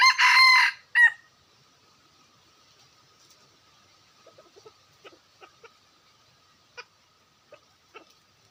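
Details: Red junglefowl crow from 2021. A loud, rasping crow closes in the first second with a clipped extra syllable. Then comes near silence with scattered soft clicks and taps.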